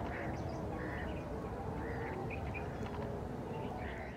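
Northern shoveler giving short, nasal duck calls, about six scattered through four seconds, over a heavy, steady rumble of wind or handling noise.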